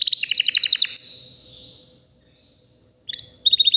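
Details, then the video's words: A white canary about three years old delivers a brief rapid trill, falls silent for about two seconds, then resumes with short chirping notes. "BEAUTIFUL WHITE CANARY NON STOP POWERFUL SINGING"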